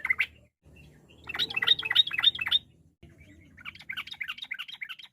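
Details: Yellow-vented bulbul singing a varied, lively song meant to goad rivals into replying: a single sharp note, a pause, then rapid bubbling warbles in two bursts, about three notes per second.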